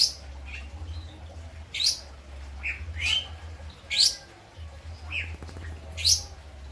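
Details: Lovebird in Indramayu, West Java, whose song has been filled with kapas tembak and ciblek phrases. Piercing upward-sweeping whistles and short chips come about every second, over a constant low droning hum.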